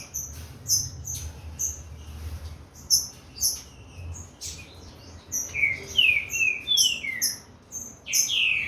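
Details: Green-winged saltator of Corvo x Fogueira lineage warming up: early seconds hold only high, evenly spaced chips, then a run of loud falling whistles arrives near the end.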